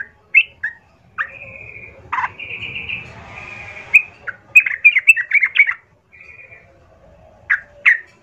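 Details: Sooty-headed bulbul singing as a fighting lure meant to make other bulbuls reply: short bubbly slurred notes mixed with long level whistled tones and a buzzy held note, with a faint low hum beneath.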